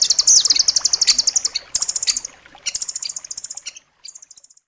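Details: Rambatan loreng (nuthatch) singing in a dense, sharp style meant for tutoring caged songbirds: long, fast, high-pitched trills of rapid repeated notes, broken by short pauses, fading into a final brief trill.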